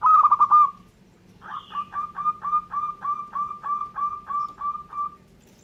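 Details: Local zebra dove singing energetically: a rolling trilled coo, then a long string of about fourteen crisp, clipped notes repeated rapidly at an even pitch.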